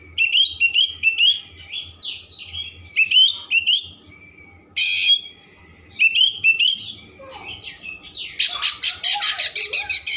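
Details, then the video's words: Oriental magpie-robin in full varied song to stimulate emotion and tail opening: loud repeated warbled phrases, a harsh buzzy burst near five seconds, then a rapid series of rhythmic rasping notes toward the end. "Kacer Gacor Isian Mewah Merangsang/Perangsang Emosi Buka Ekor"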